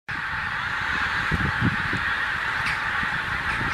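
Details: Skein of geese flying over Ormskirk Moss, Lancashire, arriving during the seasonal migration; a dense chorus of overlapping honking calls with short bursts clustering in the middle, over a steady wash of background noise.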